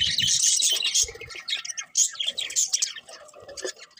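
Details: Morning bird chirping with a dense wash of high, rapid chirps and tweets, several birds overlapping and calling roughly three times a second at an uneven pace, and faint low bumps beneath.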